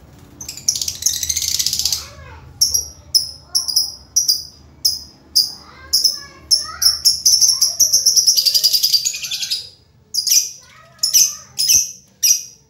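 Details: Lovebird, described as always cheerful, with distinctive chirping: rapid, shrill, high-pitched chirps in short repeated bursts, broken by two longer continuous chattering runs near the start and middle, over faint low background sounds.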